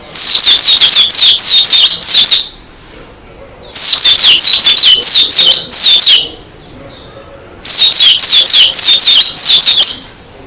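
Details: Dakun-type Oriental white-eye in full, energetic song: three bursts of quick, high, downward-sweeping twittering notes, each lasting about two seconds and separated by short pauses.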